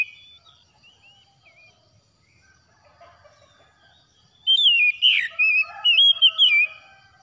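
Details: Oriental magpie-robin singing after dawn as a remedy for stressed birds: soft scattered whistles at first, then a strong, twisting warbled phrase sequence in quick bursts lasting about two seconds.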